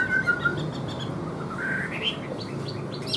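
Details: Caged Chinese hwamei, kept for sale, giving a short burst of song: a few clear whistles at the start, then rising slurred notes climbing higher, set against a low background rumble.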